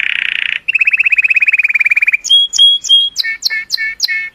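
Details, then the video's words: A cheerful colour canary sings to excite females, opening with a dense buzzy roll, then an evenly pulsed trill of quick notes, a few sharp high whistles and a series of doubled chirps. "تغريد كناري رائع، لتحفيز الإناث"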